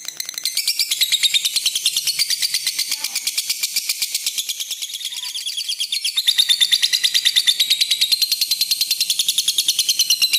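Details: Red-eyed lutino lovebird giving a long continuous trilling song, used as a lure and master for training other lovebirds: a dense high-pitched rapid chatter of rasping pulses, about three per second, steady throughout and growing louder midway.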